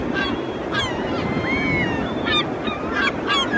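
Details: Group of European herring gulls calling loudly while flying and fighting; several overlapping wailing, gliding calls, some rising and falling, over steady background rumble.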